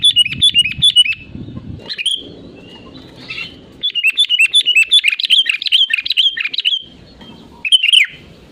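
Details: Energetic sooty-headed bulbul song used as a lure: bursts of rapid bubbly chirping, a long fluent run of warbled notes in the middle, and a final short phrase, with low background murmur between.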